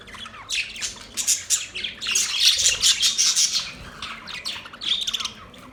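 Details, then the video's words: Budgies chirping and squawking in rapid bursts, about three notes a second, harsh and scratchy, peaking in a dense run before tapering off. "Beautiful chirping sound"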